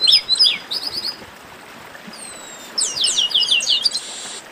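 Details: Esquenta warm-up song of the chestnut-capped blackbird (garibaldi): bursts of sharp falling whistled notes at the start, a quiet gap with one long thin whistle, then a dense chattering run of rapid notes.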